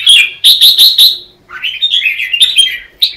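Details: Red-whiskered bulbul in competitive morning song training: a fast run of bright chirped notes near the top of its range, then a warbled, tumbling phrase of rising and falling whistles.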